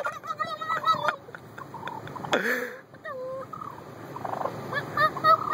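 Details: Attacking, irritated turkey gives scattered short yelps and a drawn-out falling squeal, interrupted by a sharp human exclamation, over steady outdoor background noise.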